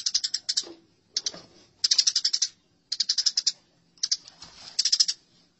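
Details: House sparrow fighting calls, from a tutoring recording for cage birds: short clusters of rapid, high, metallic chirps repeated roughly every second, with faint clicking and knocking between clusters.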